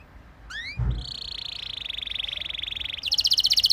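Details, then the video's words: Canary rolling song used to stimulate other canaries: one rising slurred whistle, a soft thud, then a long steady buzzing roll that gives way to a louder, crisper trill. "Burung Kenari Lain Bakal Langsung Ikut Gacor Ngerol Mewah Dengan Pancingan"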